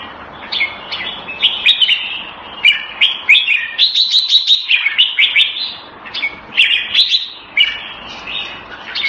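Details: Hobby-kept red-whiskered bulbul delivering a lively, continuous run of chirpy warbled phrases, fast repeated bright notes clustered in bursts with barely any gaps; low background hum.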